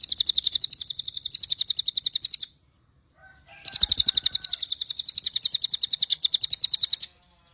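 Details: Cililin song used as training material for white-rumped shamas: two long runs of fast, evenly repeated high trilled notes, about three to four per second, separated by a brief pause with faint soft notes.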